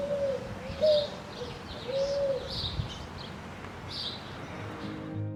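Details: A Picazuro Pigeon in central Argentina, with a juvenile shown, inflates its neck to give its cucu-like song: low, soft cooing notes, a few drawn-out hoots spaced about a second apart, over thin, high chirps from other small birds.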